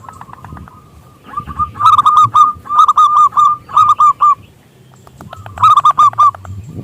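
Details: A local zebra dove with a big voice sings to draw other doves into song. It gives soft repeated coos, then several loud phrases of quick, stuttering notes with pauses between them.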